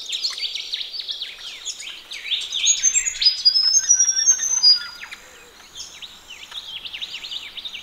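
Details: Ring-necked parrots bathing in a pond on a morning: a dense run of harsh, rapid chattering notes from several birds, with thin high whistles from other birds laid over the middle.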